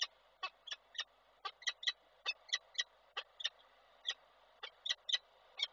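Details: Nesting peregrine falcon in Koszalin, Poland, 17 February 2023, producing a sustained run of 'ciokanie' chatter: around twenty abrupt, grating notes, often in quick pairs, irregularly spaced over steady hiss.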